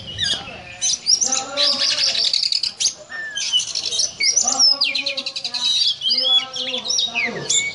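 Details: Yakuza-type oriental magpie-robin giving cobra-like 'ngobra' song: loud buzzy trills and rising whistles in bursts separated by short gaps, over harsh lower harmonic notes.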